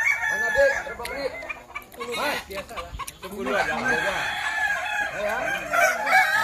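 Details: At a Kukuak Balenggek crowing contest in Sawah Lunto, several roosters crow at once with arching, stuttering multi-note phrases. The crowing stays dense and continuous throughout, with crowd noise around it.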